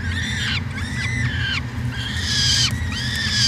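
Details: Peregrine falcon on a nest camera in Edmonton, Canada, at the University of Alberta, 2017: loud, rasping, arched calls repeated about once a second, each a harsh wail, over a constant low electrical hum.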